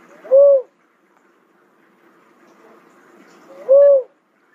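A cuckoo-dove gives two low, soft, slightly arched coos about three seconds apart, with quiet background between them.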